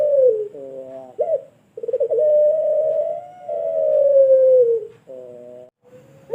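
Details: Farm-kept pelung barbary dove in Sragen, Indonesia, whose long voice serves as a training model for other birds: brief trilled notes, then one very long, smooth coo lasting about three seconds and falling at the end.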